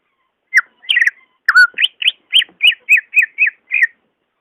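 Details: Song of a greater green leafbird, meant to spur a lazy caged bird into singing: an opening pair of clear slurred whistles, then a steady series of about nine short wavering notes, evenly spaced roughly a quarter second apart.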